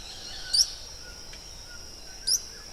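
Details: Yellow-browed tody-flycatcher recorded at El Escondite Natural Reserve, Colombia: two brief, high, thin rising notes about 1.7 seconds apart over a steady shrill insect whine.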